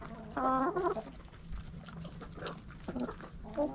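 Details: Backyard chickens, hens clucking: a burst of harmonic, nasal clucks near the start, then quieter scattered clucks and a short call near the end, over a steady low hum.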